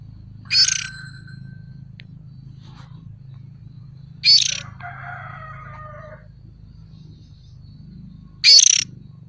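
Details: Juvenile oriental magpie-robin calling as a lure: three harsh, raspy, hissing bursts, each under half a second, spaced about four seconds apart, with faint lower chatter after the second and a steady low hum underneath.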